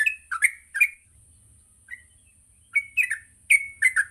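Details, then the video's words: Yellow-vented bulbul singing a morning lure song meant to teach young birds to sing and ngropel: a few bubbly, chirping phrases, a short pause with one soft note, then more rising and falling chirps, over a high steady whine. "Pancingan Pagi burung trucuk Gacor sangat cocok untuk melatih trucuk belajar bunyi dan ngropel"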